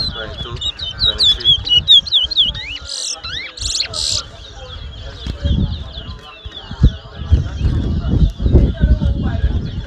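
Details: At a 2022 towa towa whistling competition in Mahaica, Guyana, a chestnut-bellied seed finch delivers fast, twisting whistles and a few harsh buzzy notes. Crowd voices and counting rise and fall in the background.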